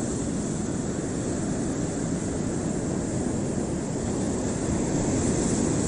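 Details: A continuous droning engine rumble, like a propeller plane overhead, with no animal voice.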